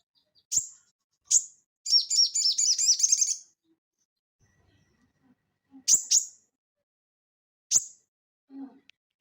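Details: Crested jay (sogon) in full lively song in the ngeleper style, used as tutor audio for cage birds: a fast, high buzzy rattle of about one and a half seconds, framed by sharp, isolated high chips before and after.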